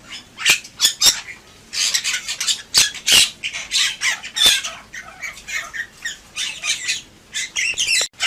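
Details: Bali myna pouring out a harsh, scratchy medley of rasps, clicks and squeaks in dense, uneven phrases lasting several seconds, background otherwise quiet.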